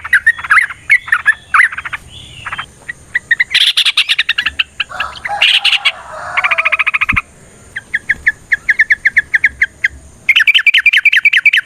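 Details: Yellow-vented bulbul in a long fighting song used to stir other birds into singing: jumbled chirps and rattles, then a run of evenly repeated short bubbly notes, ending in a rapid burst of chatter over a faint high hum.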